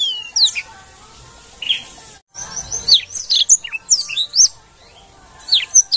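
A Black-throated Canary sings a fast, high twittering song of varied sweet chirps, slurred notes and trills, broken by one brief silent gap.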